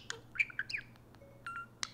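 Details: A talking parakeet mimics speech such as "Hey Siri" and activates Siri on an iPhone: rapid chattering, squeaky syllables and short whistled notes in a quick burst of mimicked talk, with a faint steady hum underneath.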